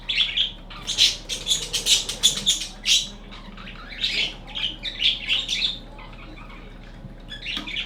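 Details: Budgerigar chattering in quick bursts of bright, scratchy chirps and tweets; the bird is named Grassy and is linked to egg candling.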